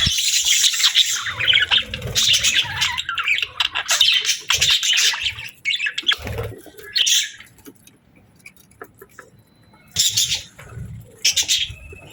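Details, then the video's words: Budgerigar chatter in bursts: several seconds of busy, rapid warbling and twittering, then short scattered chirps separated by quiet gaps. "Budgie Chirping Sounds"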